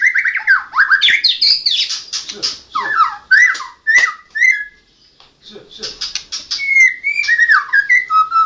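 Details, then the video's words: National champion white-rumped shama in full gacor song: fast, varied whistled phrases mixed with scratchy chatter, a pause in the middle, then more sliding whistles. "Burung Murai Batu Juara nasional murai batu ngoceh ngerol gacor"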